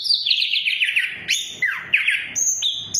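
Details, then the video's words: Orange-headed thrush lure song for birds that will not sing: a fast trilled run of descending warbled notes, then sharp rising whistles and a steady high held note. "Pancingan Anis Kembang Macet, Anis kembang Macet Bunyi"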